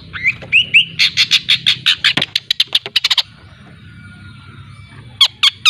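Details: Long-tailed shrike from Lampung, a young bird learning to sing, gives a burst of harsh, rapid chattering notes with a few whistled rising slurs at the start, then falls quiet before a short final chatter.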